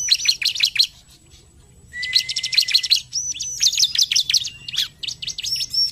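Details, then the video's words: Lively bar-winged prinia song, the 'gacor narung' style, played to get other prinias singing: high thin chips in quick series, a low-pitched buzzy drawn note, then rapid chattering bursts. "Ciblek gacor narung! sekali putar ciblek langsung bunyi"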